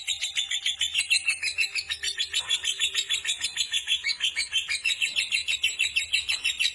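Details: Gacor fighter-type lovebird holding a long ngekek: an unbroken, shrill, rattling chatter of rapid pulses, even in rhythm and loud throughout.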